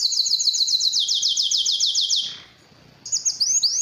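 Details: Courtship song of a Belgian canary for exciting females: a quick even trill of repeated notes for over two seconds, a short pause, then bright renewed trilling and upward sweeps.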